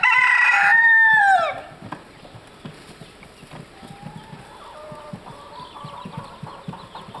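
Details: White-crested Polish chickens, black and blue-laced, at Madiswil on 3 June 2012: a loud harmonic squawk that holds and then falls in pitch over about a second and a half, followed by faint clucks and background clatter.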